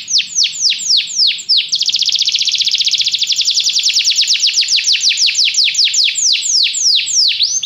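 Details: A canary sings a training song meant to prompt a pet canary to sing. It runs from repeated downward-sweeping whistled notes into a rapid rolling trill, then back to slower descending sweeps.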